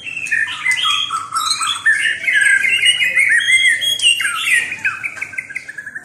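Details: Continuous varied warbling from a white-rumped shama: clear whistles, quick slurs and twittering notes tumbling together in an unbroken stream, some phrases swooping downward, with sharp high clicks scattered through.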